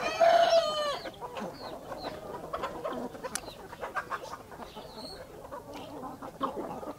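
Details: Backyard country chickens, a hen with her chicks in the morning: one loud, harsh, drawn-out call opens, then soft scattered clucks and small peeps run through a steady background murmur.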